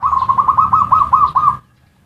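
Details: Zebra dove in ngerot and kuwor lure style, meant to trigger mating urge and prompt quiet birds to sing. A rolling series of about eleven quick pulsed coos, then stopping, over low background rumble.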